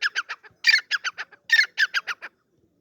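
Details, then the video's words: A partridge gives loud, harsh, grating notes in three quick bursts, each a rapid run of about four to six squawky syllables, with no other sounds. "Teetar ki Awaz || Partridge Bird Voice"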